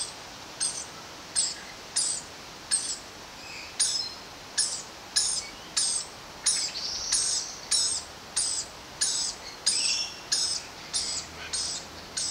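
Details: Rainbow lorikeet family with a baby being fed chewed sunflower seeds by its mother while the father perches higher: harsh, high, rasping screeches repeated about every two-thirds of a second, with faint hiss.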